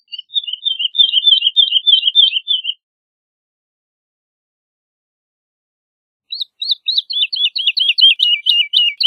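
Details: Woodlark (Lullula arborea) singing two phrases of rapid, liquid notes, the second a descending cascade of repeated whistles, separated by a few seconds of silence.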